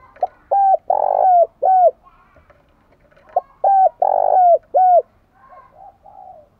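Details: Decoy spotted dove used to provoke wild birds, giving two identical phrases about three seconds apart, each a brief note then three deep coos with a drawn-out, buzzy middle coo.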